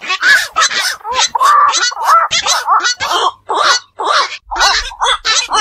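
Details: Black-crowned night heron, a night bird of ponds and wetlands, heard at night: a dense run of rough, raspy squawks and nasal bent notes in rapid succession, several overlapping, with a faint low hum late on.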